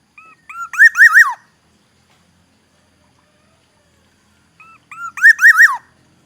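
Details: In Aceh, Indonesia, a Black-naped oriole repeats the same phrase twice, four seconds apart: a few brief soft whistled notes, then a loud mellow series of looping fluty notes, with quiet background.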